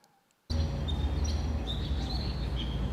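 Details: Black bulbul, a medium-sized songbird seen everywhere in Taiwan, where it squawks, makes weird sounds and hangs out in trees and parks. Thin, high whistled and squeaky notes come out over a steady low rumble after a brief silence.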